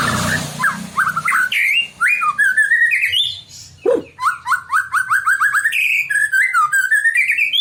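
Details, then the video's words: Provocative white-rumped shama song meant to make other shamas answer: fast varied whistles, rising slurs and sharp chirps in rapid succession, with a deep swooping note midway. "kicauan santai tapi bikin emosi, murai manapun pasti ikut bunyi"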